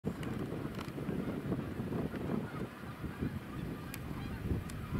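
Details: Many geese calling together, a dense chorus of short nasal honks overlapping throughout, with low rumbling wind and water-like noise underneath.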